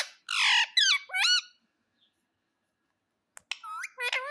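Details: Pet parrot, called mitthu, calling indoors: loud harsh squawks with bent, wavering tones in a quick cluster, a pause of silence, then more screechy calls.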